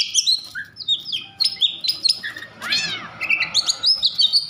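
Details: Agitated Oriental magpie-robin singing to provoke other magpie-robins into song: varied whistled and scratchy phrases, sliding notes and a harsh descending burst midway, high-pitched and continuous.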